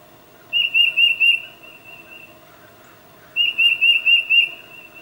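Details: Two phrases of rapid, high whistled notes from a tufted titmouse calling its mate, four notes and then five, spaced about three seconds apart, in a calm setting; Nikon D800 with 600mm lens.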